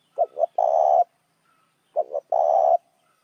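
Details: Spotted dove calling as a lure to draw in other doves: two phrases, each two short hollow coos followed by one long, rough, drawn-out coo, with quiet gaps between.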